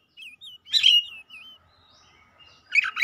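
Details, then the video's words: Oriental magpie-robin delivering 'isian' fill song. Soft looping whistles lead into a loud burst of harsh, broadband chatter, followed by a faint sustained tone and a final scratchy burst. "KACER GACOR LANGSUNG MEMANAS NAIK EMOSI BONGKAR ISIAN"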